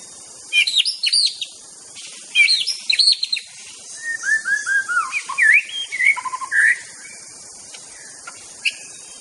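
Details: Singing white-rumped shama from Aceh: bursts of sharp high notes, then a series of falling slurred whistles and quick varied phrases, with short pauses and a constant faint hiss.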